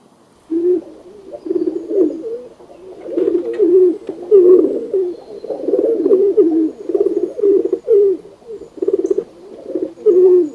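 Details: Pigeons cooing in a dense, overlapping chorus of low, throaty, rolling coos. The phrases follow one another almost without a break for about ten seconds, as if several birds are calling at once.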